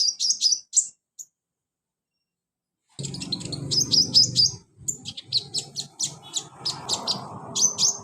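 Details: Caged sunbird, known locally as kolibri ninja, heard on a therapy track meant to get a lazy bird singing: quick bursts of high, thin chirps and twittering notes, a brief silence, then dense chattering phrases over a low rumbling background.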